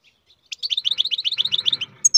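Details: Rapid, evenly paced string of bright, slightly descending twitters from a captive-bred European goldfinch, ending with a couple of sharp, higher notes. A soft low hum runs underneath.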